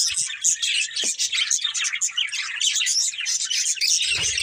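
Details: Pet budgies from one family keep up a lively chatter of quick warbles, clicks and high whistled tweets, steady throughout, ending with a low rustling thud.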